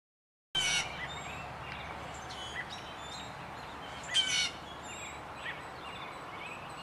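A blue jay gives two loud, harsh jeers about three and a half seconds apart while scolding a cat. Faint chirps and a steady background hiss fill the gaps.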